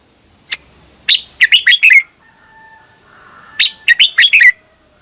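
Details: Red-whiskered bulbul song from Thailand, used to tutor or excite caged birds: a lone chirp, then two rollicking phrases of five quick whistled notes, with faint, low, steady tones in between.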